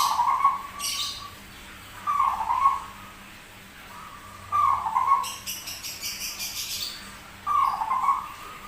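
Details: Rare zebra dove with a strange but persistent song: four trilled coo bursts at intervals of about two to three seconds, interrupted by loud rattling and clattering noises.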